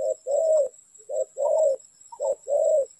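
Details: Cooing of a spotted dove at a trapping site: three close pairs of a clipped low note and a longer rolling coo, loud and clear, evenly spaced, with a thin steady high tone behind.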